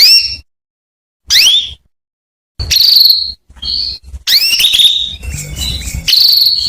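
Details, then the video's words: Calls from a female canary intended to set a male singing: falling whistles and long buzzy notes, with a noisy stretch of broadband sound and a brief spoken word toward the end. "Suara Kenari Betina Memanggil Kenari jantan Supaya Gacor"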